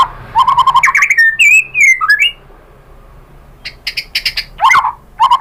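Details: Provoking song of a white-rumped shama, meant to stir a rival bird: rich warbled phrases sliding up and down, a quiet gap, then sharp clicking notes and a final burst of fluty whistles.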